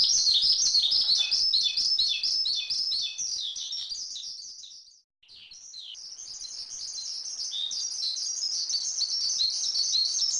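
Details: Javan pied starling masteran song: rapid high chirps and twitters that fade to silence around the midpoint, then return and continue at a quieter level.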